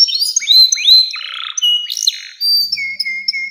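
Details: Canary singing in 'nembak panjang' style to coax young canaries: upward-hooked whistled notes and short buzzy bursts, ending with a steady repeated flat whistle.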